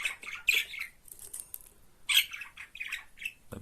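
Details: Agitated budgerigar being handled. Harsh, scratchy squawks come in two uneven bursts, one at the start and a longer one later, in a small indoor room.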